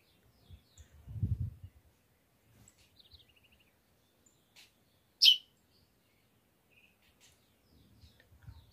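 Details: A pet double-collared seedeater, singing a lot after its moult, gives one sharp, high chip with faint thin notes around it; low thumps and handling noise as its cage is taken down and falls, startling the bird.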